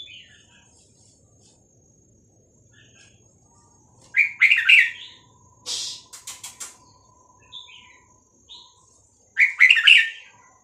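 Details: Caged red-whiskered bulbul of the Vietnamese song type, played for teaching chicks and exciting birds: two bursts of rich gurgling notes about five seconds apart, with sharp clicks, soft chirps and a steady electronic tone between them.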